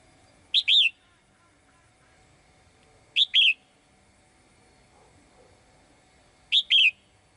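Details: Female bird in a cage singing brightly to call a male. Three short high phrases come at intervals of about three seconds, each a quick upward note and then a curved slurred whistle.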